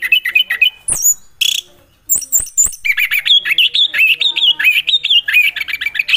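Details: Orange-headed thrush, a songbird of Southeast Asian forests, in melodious song: rapid, varied whistled phrases and warbles, with a few very high sharp notes and a short pause midway. Delivery is loud and close.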